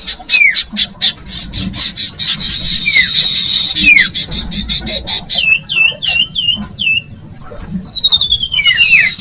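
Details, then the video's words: Common iora, locally called cipoh, sirtu or sirdung, used as a lure for young birds: thin downslurred whistles alternate with rapid high chattering notes and short buzzy trills, ending in a run of descending whistles. "Audio Suara Burung Cipoh/Sirtu/Sirdung cocok buat pancingan bakalan"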